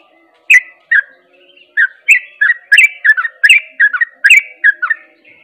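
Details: Sooty-headed bulbul in ropel style said to set other bulbuls singing: a few spaced notes opening into a fast, jaunty series of liquid whistled couplets, over a soft steady hum.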